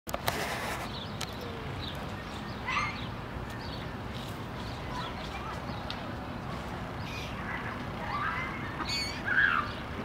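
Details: In Tivoli Landscape Park, Ljubljana, Slovenia, on 23 June 2023, a common moorhen gives a few short, sharp, abrupt calls several seconds apart, over a steady low background rumble.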